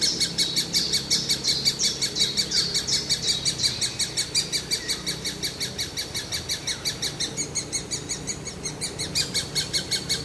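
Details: Great spotted woodpecker chick, always hungry, keeps up a high, scratchy chatter, nearly three sharp calls a second without pause.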